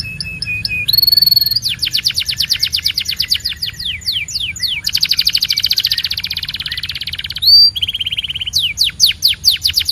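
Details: Belgian canary singing a long varied song: thin high whistles, a rising sweep, then rapid buzzy trills of repeated descending notes and bright rolling phrases, loud and continuous.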